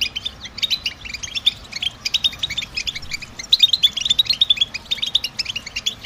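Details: European goldfinch giving a stimulating song, the kind males use in spring and summer to attract females and mark nest sites: a rapid tumbling twitter of short tinkling and buzzy notes, continuous and lively.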